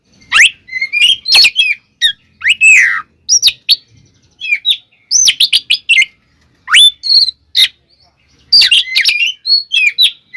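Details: Fighting song of an Oriental magpie-robin (kacer), used to provoke others: rich, rapid medley of whistles, upslurred notes and sharp ticks in long busy phrases.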